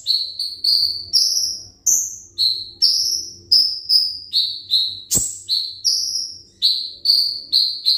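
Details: Konin, the olive-backed sunbird, kept as a songbird of the ringgit type, repeating bright rising-then-falling whistles at a steady pace over eight seconds, with one sharp click midway.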